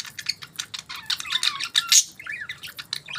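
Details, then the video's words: Morning budgerigar chirping: busy, scratchy twittering that builds to a sharp burst, then softer warbled, wavering notes. "Budgies Morning Chirping Sounds"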